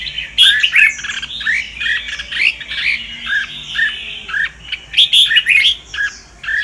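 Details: Red-whiskered bulbul, Sông Kon variety, in a long bout of training song: lively chattering whistles and rolling notes strung together almost without breaks, with loud accented bursts near the middle and end.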